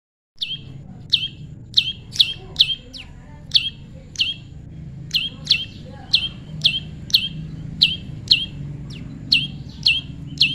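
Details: Tame prinia during natural pairing: sharp, high downward-sweeping chirps repeated roughly every half second, some in quick doubles, over a low background hum.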